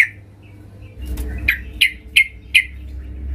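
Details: Female yellow-vented bulbul calling a male, recording used as a lure; four bright, clipped chirps evenly spaced about every third of a second after a soft opening note, over low hum.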